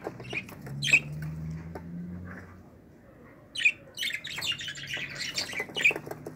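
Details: Budgerigar chicks from a 2018 clutch in a pearl family of single- and double-factor birds, heard indoors giving harsh, high squawks and short chirps in scattered bursts, with a faint low hum behind them.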